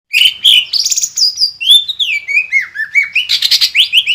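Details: Green leafbird in full song, used as a lure to provoke other birds into singing: a rapid, varied run of high whistled and chattering notes, slurred phrases sliding downward, mimicry-like twitters, dense and continuous throughout.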